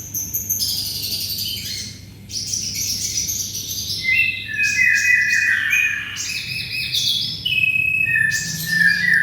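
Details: Canary song used as a tutor for white-rumped shamas. Scratchy high bursts give way to descending whistled trills and rolling phrases that rise and fall, ending on a sustained lower trill.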